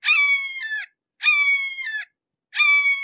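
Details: Three long, level screams with a drooping finish, about three-quarters of a second each and about a second apart, from a red-shouldered hawk heard at close quarters.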